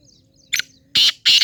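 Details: Black francolin, harsh broadband calling: a short rasping note followed by two longer, loud grating bursts in quick succession, no other sounds.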